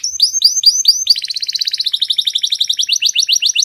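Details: Canary masteran song with a very clear voice: a few slower arched whistles, then a rapid high, ringing trill of short repeated notes running steadily to the end.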